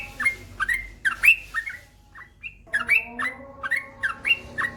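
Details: Trucukan or yellow-vented bulbul, a male in full long ropel song, pours out rich liquid whistles that slide up and down in quick, uneven bursts with short gaps.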